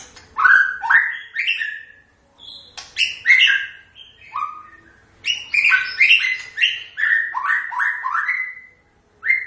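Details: White-rumped shama delivering a loud, varied song: quick series of upslurred whistles mixed with harsh clicks and chatter, in two long bursts separated by a short pause.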